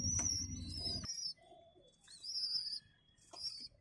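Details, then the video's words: Baby pigeons being fed by adults, giving thin, high squeaky whistles in short bursts, some rising, separated by brief pauses; low rumbling handling noise early on. "Pigeons feeding baby pigeons"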